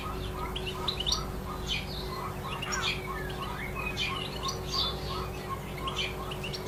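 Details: European goldfinch singing in the wild: a continuous run of quick, tinkling, twittering notes and short chirps, over steady low background hum.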